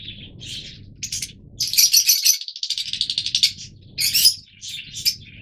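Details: Yellow Fischer's lovebirds, the oldest colour mutation of the species, kept birds, giving shrill broadband chirps and rapid chattering bursts, a long run of quick harsh notes in the middle, with low background hum between calls.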